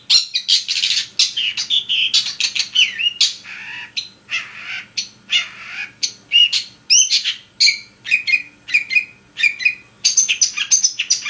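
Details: Long-tailed shrike singing nonstop, meant to provoke other shrikes into song: a rapid, varied medley of scratchy chirps, squeaky twitters and short whistled slurs, delivered in quick irregular bursts throughout.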